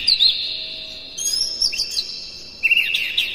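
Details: Captive-bird stimulation recording of a morning Oriental magpie-robin: a loud chattering opening, a fainter warbled phrase of high whistles after a short gap, then a new vigorous burst of rapid notes.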